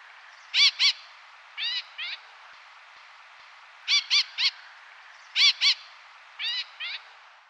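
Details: Layard's parakeet, a resident endemic breeder in Sri Lanka, giving harsh, shrill screeches in short bursts of two or three, with softer rising notes between, repeated every couple of seconds.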